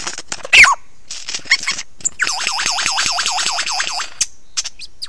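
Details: Close-up singing lyrebird, Ben Ricketts, 16 November 2022, 9 AM: a loud sharp note, scattered clicks, then a long string of about ten looping swoops, falling and rising in steady rhythm, before a few final chips.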